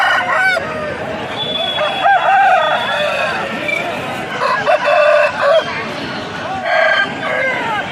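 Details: Aseel roosters at a Saturday local fowl market give hoarse, drawn-out crows, several overlapping within a few seconds, over busy clucking of fowl and faint voices.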